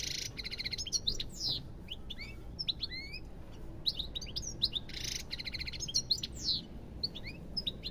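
A European goldfinch sings a fast, tinkling twitter of high chirps and slurred whistles, broken by harsh buzzy rattles, over a faint low hum.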